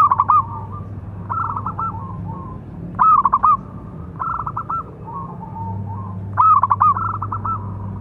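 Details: Zebra dove, local type with a strong voice, giving a calling song used to provoke other doves: quick repeated bursts of pulsed coos, three louder trilled phrases among softer ones, closely spaced.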